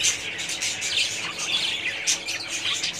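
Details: Colony of budgerigars giving a busy stream of chirps, thin whistles and scratchy warbles, with a few clear high squeaks standing out roughly every second.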